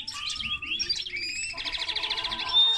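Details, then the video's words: A linnet-canary hybrid delivers a fast warbled phrase that turns into an even buzzy trill, ending on a thin sustained whistle. "Mixto de pardillo y canaria - هجين طائر التفاحي مع الكنار"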